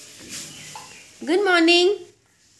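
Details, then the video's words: Pet rose-ringed parakeet saying good morning: a short, loud, rasping voiced phrase, rising then held level for about a second, after a faint softer sound, in a quiet room. "wishing Good Morning to everyone"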